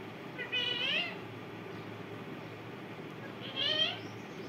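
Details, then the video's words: Parrot giving two drawn-out, harmonic, wavering squawks about three seconds apart over a steady low hum. "parrot ki video"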